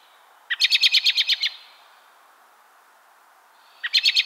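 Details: An American robin in the southern US in December gives a quick, high chattering burst of about eight sharp notes, then starts another after a two-second pause.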